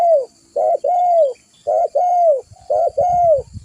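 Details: Spotted dove, an energetic caller used to lure birds: repeated two-part coos, a short pulsing note then a long smooth descending coo, about once a second, with faint low rumbling toward the end.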